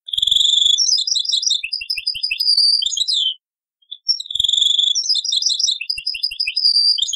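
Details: Old cassette recording of a European goldfinch in taqsrayn style: sweet twittering phrases with fast rattling trills and a descending slur, repeated after a brief break, with soft low knocks.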